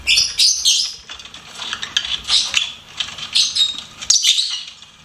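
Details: Lovebird chirping almost continuously: dense, bright, high-pitched squeaky chatter in overlapping phrases, with a few sharp clicks mixed in.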